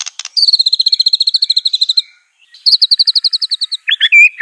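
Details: White-rumped shama (Copsychus malabaricus) of the Aceh type, song used as a training recording: a fast high trill of repeated chipping notes, a brief pause, a second bright trill, then a few rich slurred whistles.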